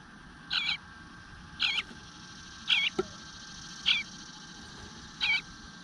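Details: Eastern bluebird nestling in its nest whining for food while going unfed for a while, morning of 25 June 2022 at 9:10 am; short raspy high calls repeated about once a second, five in all, over faint steady background hiss.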